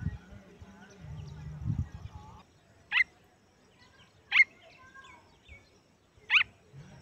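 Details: Baby pheasant chick calling: after two seconds of low rumbling background noise, three sharp, high, short chirps ring out roughly every one and a half seconds.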